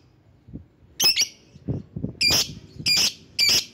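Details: Lovebird call used to lure and provoke rival birds: four harsh, high, buzzy screeches, each about a third of a second long and spaced roughly a second apart, with low thumps and faint rustling between them.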